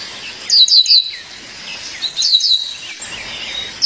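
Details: A female Violaceous Euphonia gives high, stacked descending chirps in short groups, separated by faint lower twitters, calling out to her partner.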